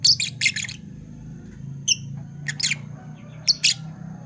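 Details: Two pet Fischer's lovebirds, Parblue violet and Parblue turquoise, chirping in the morning: rapid loud shrill notes at the start, then spaced harsh chirps in small groups, over a low continuous hum.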